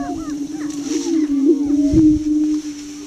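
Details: Displaying young male greater prairie chicken on a lek east of Crookston, Minnesota; a low sustained hooting drone carries scattered arched whoop notes, with one brief low thud.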